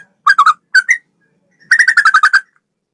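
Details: Sooty-headed bulbul training recording: two quick pairs of bubbly whistled notes, then a pause, then a fast run of about eight rapid, even chattering notes, in clean surroundings.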